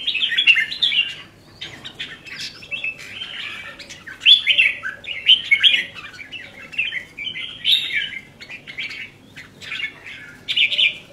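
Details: Song of a red-whiskered bulbul kept by a hobbyist: lively, slurred whistled phrases repeated in short bursts about every second or two, each a rapid tumble of chirps.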